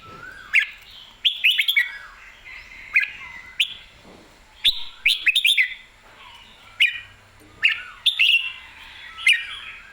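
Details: Red-whiskered bulbul, lively and excited, singing clearly: short bright whistled phrases in bursts roughly every second or two, some fast warbled clusters, rising and falling notes, over a quiet background.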